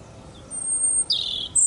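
A brief fragment of Eurasian blackcap song: a thin high note, then a quick scratchy warble and a final squeaky note, over faint background hum.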